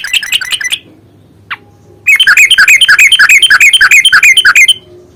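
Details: Yellow-vented bulbul, a fighting lure meant to provoke a bird into singing: a short burst of notes, a pause, then a fast run of bright, loud, bubbling notes about three per second that cuts off abruptly.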